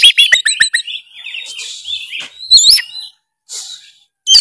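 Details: Singing oriental magpie-robin, full narung style, to prompt a quiet bird to sing. Quick chattering notes flow into a warbled, slurred passage, then sharp rising whistles after a short gap.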